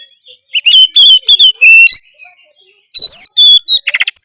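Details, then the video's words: Oriental magpie-robin in full song: loud, sharp whistled bursts and slurred notes separated by short silences, ending in a quick buzzy rattle. "kacer apasana pasti respon denger suara kacer gacor satu ini"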